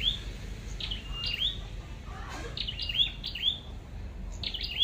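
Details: A red-headed flowerpecker used in bird trapping gives thin, sharp, high ticking and zipping notes in short bursts, with a faint low background rumble.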